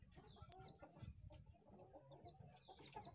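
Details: Bird-luring recording of an Oriental white-eye: three bursts of high, steeply falling thin notes, the last a quick double, against quiet low background clucks.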